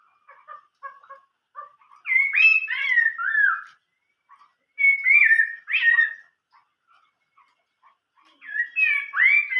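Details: Chinese hwamei in old-forest style song: soft evenly spaced low chips, then loud bursts of rising and falling slurred whistles, alternating with quieter scattered notes, the loud phrases returning three times.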